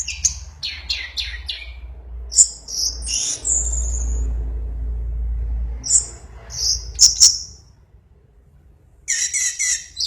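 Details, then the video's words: Orange-headed thrush, described as singing in a frenzied, excited state, gives varied high chirps and whistled phrases in several bursts, with pauses between them and a steady low rumble beneath. "Burung anis merah mabuk berat"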